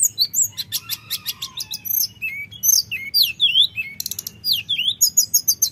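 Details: Flute-like rolling lure song of a common iora for provoking rivals: rhythmic high chirps and sharp downslurred whistles repeated in quick succession, with short trilled bursts.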